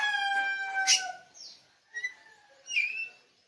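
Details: Kacer bali, an oriental magpie-robin labelled pupuan, opens with a steady, ringing multi-toned note, then gives a downslurred sweep and brief whistled chirps with quieter soft notes between.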